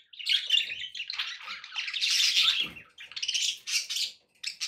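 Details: Continuous scratchy, buzzy warbling from indoor pet budgerigars, several voices overlapping in a busy chatter with high squeaks, played to encourage a pet parrot to eat and sing.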